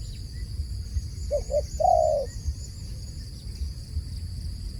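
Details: A single cooing phrase from a dove: two brief notes, then one longer, slightly falling coo. Low background rumble throughout.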